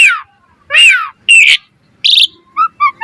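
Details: Asian pied starling song for tutoring other starlings: loud, hoarse, slurred whistles rising and falling, then three short, clear whistled notes repeated at the end.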